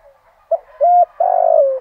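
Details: Partial phrase from a decoy spotted dove at first light, singing 'giọng thổ' to draw wild birds: a quick note, a steady mid-pitched coo, then a long rough coo that drops in pitch.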